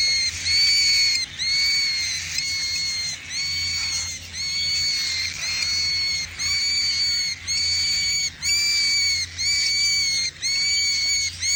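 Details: Cockatiel; begging call; chick begging for food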